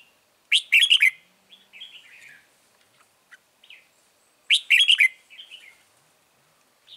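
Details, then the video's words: Red-whiskered bulbul used as a lure bird at a trap, recorded 9 March 2020. A loud harsh chattering burst is followed by soft warbled phrases, repeating about every four seconds in a quiet setting. "Bẫy chào mào Bổi HB lăng xăng cực gắt"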